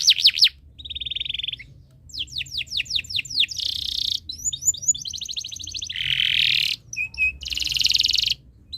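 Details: Canary in breeding condition, singing to set other birds singing: quick sweeps, a steady trill, a run of descending slurred notes, buzzy rolls and a harsh loud burst, with short pauses.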